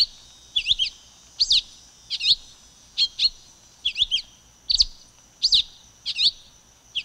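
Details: Repeated crisp, high tanager notes, some split into quick double chirps, follow one another every second or so from a silver-beaked tanager, with a light steady hiss throughout.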